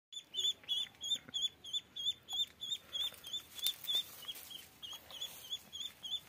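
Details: Ducklings peeping steadily, each high thin peep with a slight downward hook, about three per second in a regular run lasting over six seconds.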